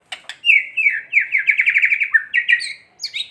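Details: White-rumped shama giving a kretekan song, a lure meant to agitate other shamas into singing: a rapid, rattling run of chattering notes held at one pitch, then jumpy higher whistled notes at the end.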